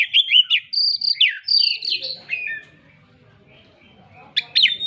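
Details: Kacer (Oriental magpie-robin) singing gacor: a quick burst of sweet whistles and sharp slurred notes, a pause of about two seconds, then a short scratchy phrase resumes.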